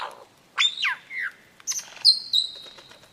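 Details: Lyrebird song of varied phrases: a rising then falling sweep, a short lower slur, then a bright high whistle held steady for about a second, with faint background noise.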